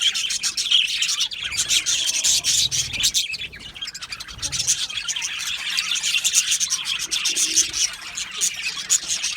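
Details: Happy budgerigars in an aviary colony chirp constantly, a dense overlapping stream of high, scratchy tweets and quick warbles with no pauses, the sound of many birds at once.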